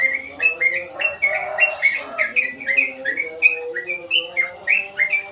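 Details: Sooty-headed bulbul chattering in a rapid string of sharp, slurred chirps at a brisk pace, with a brief fuller, noisier rustle partway through.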